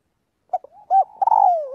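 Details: Calling the flock during daily voice training, a spotted dove gives a soft stuttered coo, then a fuller note and a long drawn, slowly falling coo.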